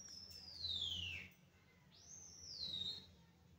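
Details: A hand-tame green rose-ringed parakeet gives two shrill, piercing screeches, the first sliding steeply downward and the second arching up then falling, over a low background hum.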